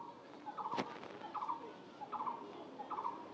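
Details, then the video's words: An unidentified bird gives four short, grating bursts in steady succession, each a quick buzzy rattle, with one sharp knock partway through and low background noise. "এটা কোন পাখির ডাক বলতো আমি বুঝতে পারছিনা"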